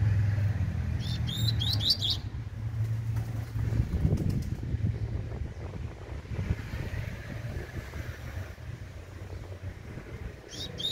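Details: Tui tui style song of a young Double-collared Seedeater: a quick run of high, clipped notes early on and a fragment at the end, with low droning hum and some rustling.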